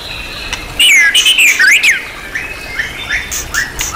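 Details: Champion-class white-rumped shama with a full repertoire of mimicked material (isian), used as master training material: a loud, fast burst of looping, up-and-down whistled phrases lasting about a second, then softer scattered notes.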